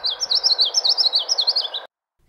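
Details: A male Common Yellowthroat, which sings very often in summer, gives a rapid run of high, rolling three-note phrases, wichety-wichety, about five a second, over faint background hiss.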